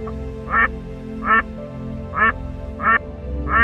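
A duck gives five nasal, harsh quacks, spaced unevenly about a second apart, over soft background music.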